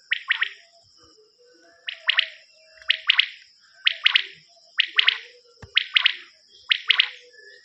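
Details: Common quail on a hunting cassette: rhythmic three-note calls, quick and liquid, repeated about once a second in a steady series over a thin, continuous high hiss.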